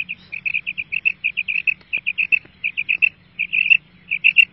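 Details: Female quail gives a rapid series of short, sharp, high notes, often paired, repeated about twice a second with brief gaps, against a faint low hum.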